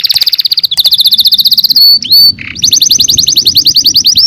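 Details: Canary in song: a fast even trill, then two clear sustained whistles and a short buzzy note, then a quick rolling trill of bright repeated notes to the end.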